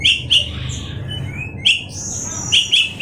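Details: Oriental magpie-robin giving clear, bright whistled notes in small clusters, including a rising slur, separated by brief gaps, with a low background hum.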